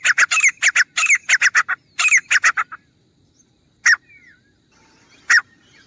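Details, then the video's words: Grey francolin calls used as a hunting lure: bursts of harsh, rapidly repeated ringing notes, then two isolated single notes after a quiet gap. "तीतर की आवाज़ - Teetar Ki Awaaz || Grey Francolin Hunting Sound"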